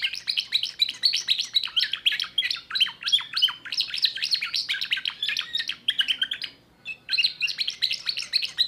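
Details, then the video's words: A young Timbrado canary hatched in 2024 sings a fast, continuous run of bright chirps and metallic trills, pausing briefly near the end before resuming; no other sounds intrude. "chant canari timbrado"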